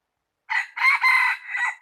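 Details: A single rooster crows loudly in a crisp four-syllable phrase, a brief first note, two drawn-out strained middle parts and a lower closing note, all within roughly 1.3 seconds against silence; recorded 16 January 2020.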